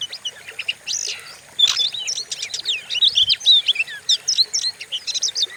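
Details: Fierce-sounding Oriental magpie-robin lure song for stimulating other birds: scattered clear whistles give way to a rapid run of sweeping, twisting notes and chirps. A faint low thump comes midway.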